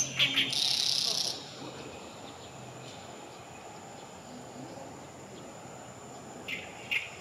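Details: Oriental reed warbler at Kanai retarding basin, 6 June 2020, gives a loud, harsh, grating burst of song, then a couple of short scratchy notes near the end, over a thin steady high insect hum.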